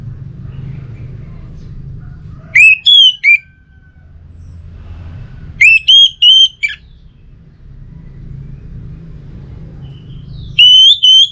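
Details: Orange-headed thrush song played to get a home-kept bird singing: three evenly spaced bursts, each a quick group of loud, bright whistled notes, over a low rumbling background.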